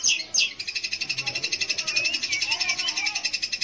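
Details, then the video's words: Cendet or pentet, the long-tailed shrike, singing to lure young or silent shrikes into song; two loud opening notes, then a rapid steady series of high pulsed notes with faint lower warbling beneath. "kicau BURUNG CENDET / PENTET untuk PANCINGAN"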